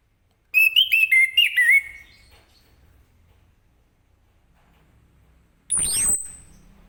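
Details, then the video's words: Lemon-bellied white-eye singing in the morning, a recording used to prompt other birds to sing. A quick burst of high, bright whistled notes with small rising and falling inflections lasts just over a second, followed by silence and then a single sweeping whoosh. "Anis Kembang Ngeplong Gacor di pagi hari"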